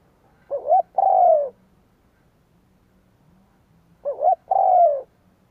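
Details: Luring call of a spotted dove for wild doves: two phrases roughly three and a half seconds apart, each a fast rising two-part coo followed by a deep, steady, slowly falling coo. Quiet background.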